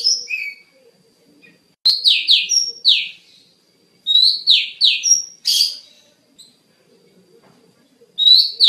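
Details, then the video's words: Kacer (Oriental magpie-robin) singing a training master song: groups of three or four loud, falling whistled notes mixed with level whistles and a scratchy burst, phrases separated by quiet gaps of a second or more. "Masteran Terbaik Kacer"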